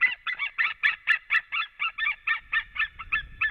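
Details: Wild white-tailed eagles at their nest in Latvia on 7 March 2017 in the afternoon. The male flies in and is reunited with the female. A fast run of about fourteen harsh, yelping notes comes roughly four per second, evenly spaced and slowing slightly.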